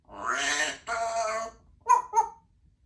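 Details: Pet female Congo African grey parrot indoors in a country home, talking: two drawn-out speech-like vowel sounds followed by a pair of short, clear whistled blips.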